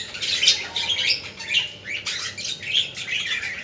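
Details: Budgies chattering, used to encourage and stimulate other budgerigars: overlapping high chirps and warbles rising in short bursts roughly twice a second, a steady lively chorus.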